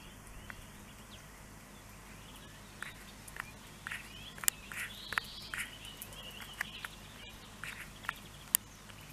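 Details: In March 2023 at Neljän Tuulen Tupa, Finland, pine grosbeaks give soft, mellow whistled notes, several short rising and falling calls overlapping, with scattered sharp clicks over a low background hum.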